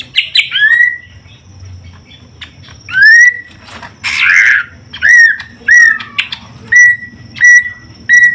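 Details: Greater green leafbird while a male and female are paired: clear, short, upward-swept whistles spaced about every half second to one second, with one harsh rasping burst near the middle.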